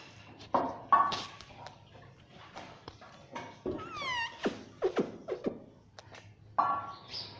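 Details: Talking pet parrot that says "mummy", kept indoors: sharp clicks and short harsh squawks, one clear downward-sliding whistled note midway, with uneven pauses between bursts.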